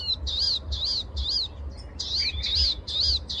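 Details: A Palestine sunbird sings in the morning: high, arched, slurred notes repeated about twice a second, with a low steady rumble underneath.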